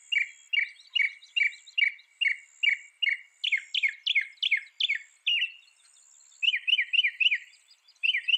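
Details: Mockingbird delivering a repeated chirping phrase about eight times, then changing to louder down-slurred notes given in a rapid series, a brief pause, and another run of repeated slurred notes.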